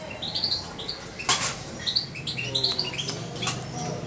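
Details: Two-month-old European goldfinch, earlier syringe-fed by hand, calling in quick high tweets that come in clusters, with a loud rustle or knock and steady background hum.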